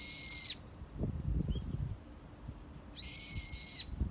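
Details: Two long, even, harmonic nasal notes from a bird amid cherry blossoms, separated by a brief faint rising chirp, over low background rumble and a soft steady hum.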